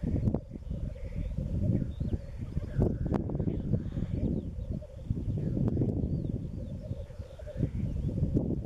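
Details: Black grouse lekking in east Wales on a spring day in March, including females present; a steady low bubbling murmur runs throughout beneath heavy wind rumble, with faint higher hissing notes.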